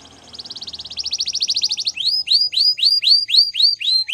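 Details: Gloster canary in training song: a soft rapid trill grows louder, then shifts to slower curved whistled notes repeated about three per second, bright and ringing.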